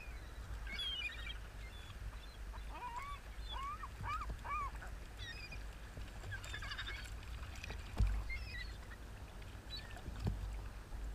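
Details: Seagulls at Rio del Mar: a run of five arched, nasal calls repeated about every half second, with higher, scratchier cries from other gulls before and after, over a steady low rumble of wind or surf.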